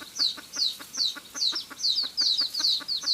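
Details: Red junglefowl hen cackling, a call used as a lure for trapping: rapid clucking notes about two to three per second, each with a bright high downward-slurred tone, steady and continuous throughout.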